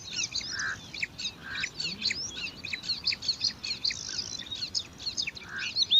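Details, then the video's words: Five bar-winged prinia chicks beg competitively for food in their grassland nest, a continuous stream of high, scratchy chirps and squeaks, fast and irregular, with a few lower soft notes and background hum. "Lima Anakan Burung Ciblek Rebutan Makan"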